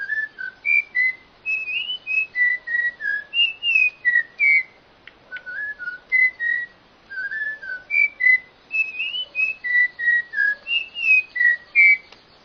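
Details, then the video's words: Bird pouring out an extended string of short whistled notes, steady, rising and falling slurs in quick succession, with brief pauses between phrases and a soft background hiss. "suara burung yg sangat keren"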